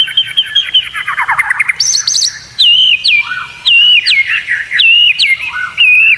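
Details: Competition white-rumped shama training song: a warbling phrase, then high whistled notes and repeated stepped whistles about once a second, clear and loud.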